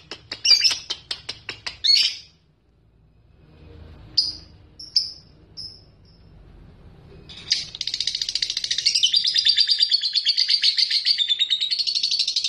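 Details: Lovebird singing to provoke rivals into ngekek: a burst of quick chirps, a few short squeaky notes after a pause, then a long unbroken high rattling trill that wavers in pitch.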